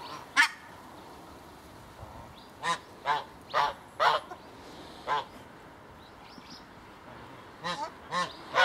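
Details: A pair of swan geese recently moved into an open enclosure; loud nasal, harmonic honks, one call early, then about eight more in irregular bursts, some in quick pairs, with faint small-bird chirps behind.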